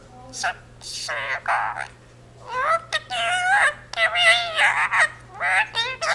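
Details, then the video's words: Pet Indian ringneck parakeet kept at home, speaking a Punjabi phrase, the jaikara "jo bole so nihaal sat sri akal": a run of high, nasal, harmonic word-like syllables in two bursts with a short pause between. "the talking parrot jaikara indian ringneck speaks in punjabi"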